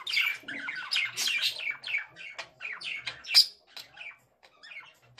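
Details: Dense, buzzy warble of a male budgerigar, with scratchy chirps and clicks run together almost without a break, then a sharp high note and quieter scattered chirps.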